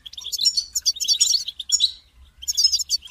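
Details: Goldfinch singing to motivate a caged goldfinch, a continuous stream of liquid twittering and buzzy trilled notes for two seconds, a pause, then another rapid twittering burst.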